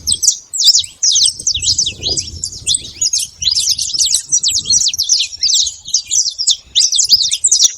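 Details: Singing freely outdoors, a saffron finch pours out high, sharp, fast-paced chirps and warbled notes in near-continuous phrases, with faint rumble underneath.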